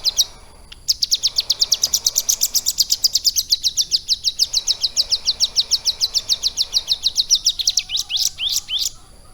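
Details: Kept ciblek gunung (prinia) trained on lovebird song, delivering a long, rapid chattering trill of high, sharp notes lasting about seven seconds, ending in a few separate rising squeaky whistles.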